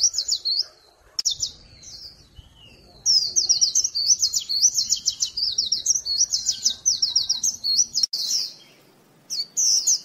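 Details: Lure call of a white-eye, a continuous run of high, slurred twittering notes with a brief pause midway and a faint low background hum.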